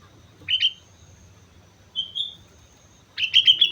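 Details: Sooty-headed bulbul from Mount Slamet singing actively: a short bubbly phrase, a single drawn-out whistle, then a quick run of rapid liquid notes at the end. Faint low background hum.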